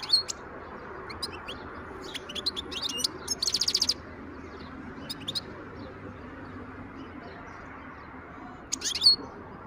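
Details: Wild European goldfinch song from 2023: scattered high chirps build into a short buzzy rattle, followed by several seconds of near quiet and one final bright note, all over a soft constant hiss.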